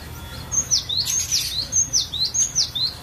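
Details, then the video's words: Cinereous tit singing a varied chattering song used as a lure to train other birds, clear high whistled notes each sweeping sharply downward then a lower rising slur, repeated in quick pairs about every half second. "Pancingan Paling Ampuh ! Ocehan Burung Glatik Batu Variasi"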